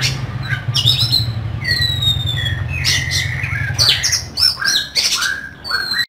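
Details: Oriental magpie-robin singing a harsh, varied kacer song meant to provoke other birds, with whistled slurs, scratchy bursts and quick chirps over a steady low hum.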